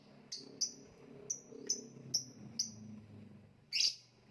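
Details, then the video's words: Lovebird from the Indonesian songbird contest scene repeating short, clear, high chirps about every half second, then a louder harsh note, with a low hum in the background. "voice of love bird/ kicau mania lovebird gantangan macet"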